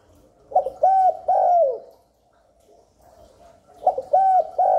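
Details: Spotted dove cooing to lure wild doves in and stimulate newly kept birds: a mid-pitched phrase of three soft, slightly rising-then-falling coos, a pause of about two seconds, then another three-coo phrase.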